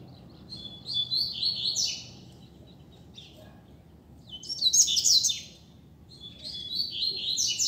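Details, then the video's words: Three rapid, high twittering song phrases of about one to two seconds each, separated by pauses, from a free Double-collared seedeater performing in the street as a tutor bird, over faint low background noise. "COLEIRO SOLTO NEM SABE PRA ONDE VAI!!! Dando Show na Rua!!! - Coleiro Professor Aprendizado"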